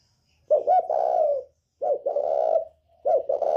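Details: Spotted dove, northern type, calling in the 'còi bổi' voice used to provoke rival birds: three rapid mellow coo phrases in quick succession, each a short broken note followed by a long drawn hoot.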